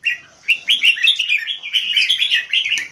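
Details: Red-whiskered bulbul kept in Singapore for keke competition singing, a stamina singer: quick, high, bubbling whistled notes delivered in a dense continuous stream with a few sharp clicks.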